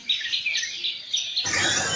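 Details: Several Baya weavers (Ploceus philippinus) singing at a home in the morning: a high, wheezy, chattering song for over a second, then a burst of broad hissing noise covers them.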